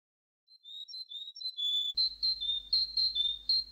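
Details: Canary song: a soft, variable entry of short high whistled notes, then a louder stretch of rapid, evenly repeated ringing notes, about four per second, over a low background hum.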